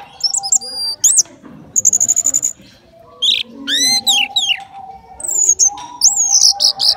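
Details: Caged orange-headed thrush prepared for a songbird contest, singing a varied phrase of high clear whistles, sharp rising slurs and short buzzy notes broken by brief pauses, with a faint low murmur beneath.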